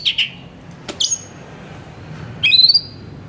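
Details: Kacer, the Oriental magpie-robin, singing to lure another kacer into song: two short harsh notes, a sharp click-like burst, then a rising whistled phrase with a quick trill at the end.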